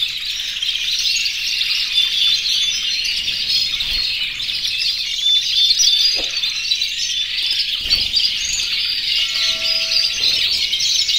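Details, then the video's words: Over a hundred canaries of many colours singing nonstop in an aviary, in breeding condition and calling to females: a dense, continuous high warbling chorus of trills and twitters, with a few brief low knocks. "+100 CANARIOS CANTANDO en mi aviario"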